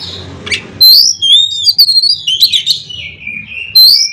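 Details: Oriental magpie-robin singing to stir other magpie-robins into song, a loud varied run of clear whistles, sliding notes and quick chattering phrases, ending with a bright rising whistle.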